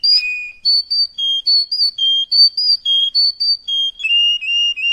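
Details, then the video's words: Belgian canary song for training chicks, said to suit all canaries: clear, pure whistled notes hopping steadily between a high and a lower pitch, about one phrase a second, nothing else heard. "Трайник жужалар га ештиринг ва Барча чужа канарейка учун унверсал"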